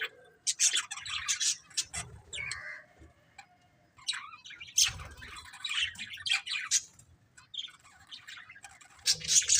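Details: Budgerigars from a breeding pair giving a mix of high chirps, squeaks and brief warbled phrases in uneven bursts.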